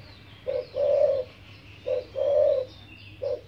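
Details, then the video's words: A pet spotted dove (Streptopelia chinensis) on a home farm, said to coo all day: a short low note then a longer mellow coo, repeated roughly every one and a half seconds over faint background hum. "นกเขาใหญ่คารมดี ขันทั้งวัน"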